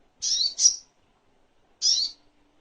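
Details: Little spiderhunter on a master recording for tutoring songbirds: two sharp, high, slightly buzzy chip notes in quick succession, a pause, then a third similar note, on a silent background.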